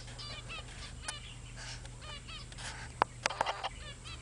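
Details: Grown-up young zebra finches calling in rapid, overlapping bursts of short nasal beeping notes, several birds at once, with sharp clicks and fluttering wings and a constant low hum behind.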